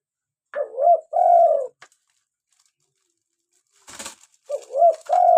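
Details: Local spotted dove, a strong caller, heard as a lure and daily call stimulus for captive doves: two low coo phrases, each a rising note and a drawn-out descending coo, with a sharp click in the pause between them.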